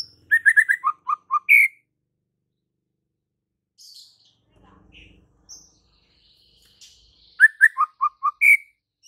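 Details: White-rumped shama in vigorous full song. A burst of four staccato whistles drops to lower clipped notes and finishes with a loud upward slur. After soft scattered chirps, the same phrase returns almost unchanged.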